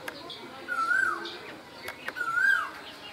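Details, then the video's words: Two drawn-out rising-and-falling whistles from an Asian koel in spring in Bangladesh, spaced under two seconds apart, with light clicks in the background. "বসন্তের কোকিল, কোকিলের ডাক"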